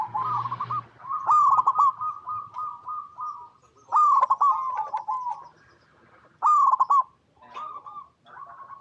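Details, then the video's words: Zebra dove of local type cooing in its natural habitat, used to draw song from other doves: long runs of soft, even rolling notes, interrupted by three loud rapid bursts, plus a low hum at the start. "Perkutut Lokal Gacor Suara Paling DiCari Untuk Pancingan Semua Burung Perkutut Agar Bunyi"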